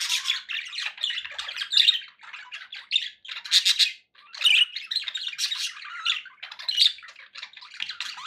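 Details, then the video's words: Budgies at home chattering: rapid series of chirps, raspy buzzes and short whistles in clustered bursts, with one brief silence midway. "budgie sounds"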